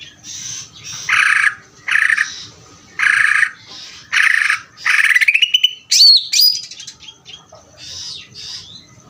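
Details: Greater green leafbird singing a series of harsh raspy bursts roughly every second, then a rising buzzy slur and sharp high whistled notes, ending with softer scratchy phrases.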